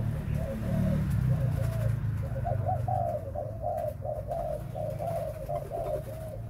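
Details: Breeding spotted dove delivering a run of quick, hollow coo notes in closely spaced pairs, over a loud, steady low droning hum.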